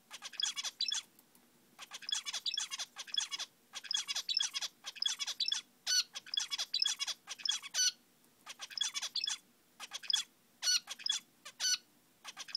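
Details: Captive male zebra finch near a nest where eggs are being warmed, repeating bursts of fast buzzy, nasal chattering notes with sharp honking calls, phrases separated by short pauses, sounding busy and lively over a quiet room.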